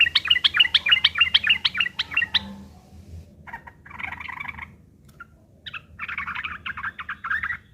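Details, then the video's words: Sooty-headed bulbul fighting song, a harsh chattering used as a lure to make other birds answer. It opens with a fast run of sharp repeated notes for over two seconds, followed after a pause by buzzy, scratchy chattering bursts. "trucukan gacor TARUNG ngeriwik kasar pancingan trucukan agar bunyi"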